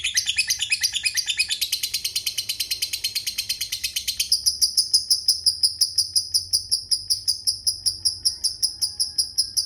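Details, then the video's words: Lovebird singing a long 'ngekek' chatter: nearly ten seconds of rapid, high, scratchy notes, dense and rattling at first, then thinning into cleaner, evenly spaced ticking chirps. "Suara Burung Lovebird Ngetik Ngekek Panjang"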